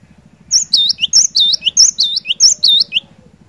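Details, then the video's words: Cinereous tit in lively song, used to prompt a silent bird to sing: about six repeated phrases, each a high whistled note dropping into a lower swooping slur, roughly two per second, over a faint steady low hum. "Burung Glatik Batu Gacor"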